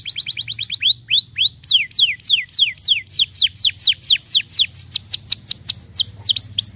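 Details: Canary of the 'pocong losdol' type in full song: quick bursts of falling whistles, followed by long runs of downward-sweeping notes at about four per second, bright and clear throughout.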